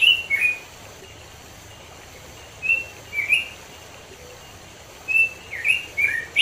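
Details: Robin singing in the wild in the mountains of East Java, Indonesia: short bright whistled warbling phrases, separated by long quiet gaps, over faint steady background hiss.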